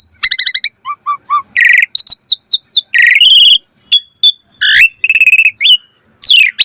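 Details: Asian pied starling pumping (mompa) song with full variation, recorded for training birds to sing; rapid trilled pulses, short low chips, harsh rasps and a final rising-falling whistle.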